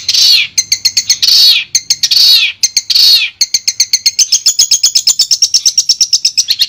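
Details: Clear master recording of a Madura long-tailed shrike: loud harsh downslurred calls alternating with fast ticking chirps, then a long rapid series of high chattering notes.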